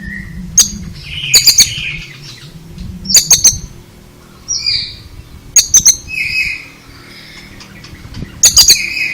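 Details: Oriental magpie-robin giving clipped high triple notes in repeated bursts, mixed with softer buzzy whistles in between, over low background rumble.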